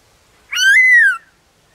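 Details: One black-throated laughingthrush note recorded in the wild forest. A single clear whistle, slightly over half a second long, rises briefly, holds steady, then slides gently downward before silence.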